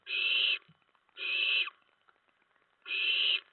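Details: Owlets in a nest around 2 AM on 10 September 2017, while adults bring a rat and mice, give three loud, harsh hissing screeches, each about half a second long, separated by near silence.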